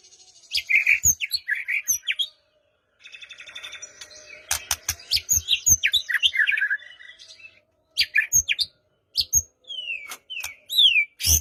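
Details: White-rumped shama song, played to provoke a quiet bird into singing, morning or evening: varied phrases of high whistles, downslurred notes and rapid buzzy trills, with short pauses and sharp clicks between bursts.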